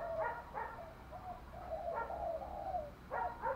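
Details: Spotted dove cooing to rouse a male: muffled low coos and drawn-out notes under a heavy background hiss, phrases recurring every second or so.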